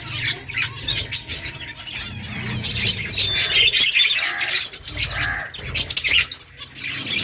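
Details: Finches at their food chirp constantly in a fast, irregular stream of high twittering notes from several birds, with some soft low clatter in the background.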